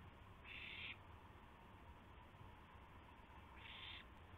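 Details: An owl at night, April 7, 2016, around a gopher prey delivery, gives two rasping, breathy screeches about three seconds apart against constant low background hum.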